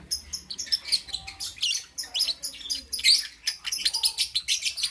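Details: Lovebird chatter in the morning, rapid high squeaky chirps and short rising notes packed closely together, several birds apparently chirping in busy, nonstop overlapping bursts.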